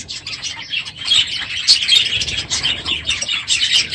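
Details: Numerous budgerigars in an aviary, loud one morning at the end of the breeding season, giving rapid warbled chatter and sharp squeaky chirps that overlap densely.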